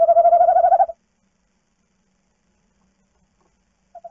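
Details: A female tawny owl (Strix aluco) on a night outing from the nest box while the male guards the eggs gives one quavering hoot just under a second long, then two brief soft notes at the end.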